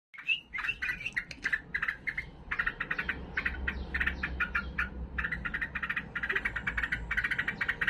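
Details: Agitated, fighting sooty-headed bulbul singing: rapid series of short chattering notes, some slurred whistles at the start, then dense bursts of harsh repeated notes, over a low steady hum.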